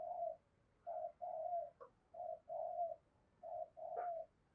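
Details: Decoy spotted dove cooing to attract wild doves, softer and more distant: a slow series of low, hollow, steady coos, some short and some drawn out, with a brief higher note mixed in near the end.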